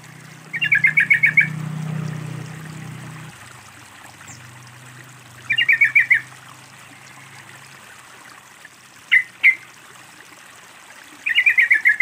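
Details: A sooty-headed bulbul, played with trickling water as a lure to get silent birds of its kind singing, gives short, bubbly, rapidly repeated phrases every five seconds or so, with a couple of sharp single chirps.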